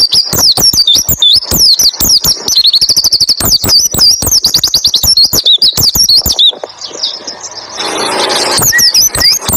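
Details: White-eye in 'roll tembak ngalas' style, a tutor song for getting other white-eyes to join in: a fast rolling stream of high whistled notes and ticks, about three per second, fading into hiss with scattered whistles later.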